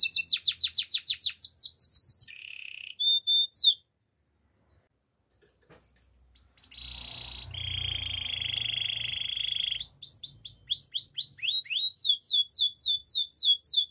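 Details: Canary singing for training: quick descending chirps and a short trill, then a gap of near silence, a low rolling buzzy trill over faint background hum, and renewed rapid swooping notes.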